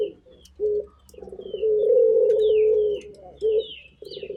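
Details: Active turtle dove gives a short pulsed coo, a long, smooth, sustained coo, and clipped follow-up notes. Small birds whistle thin, sliding chirps in the background.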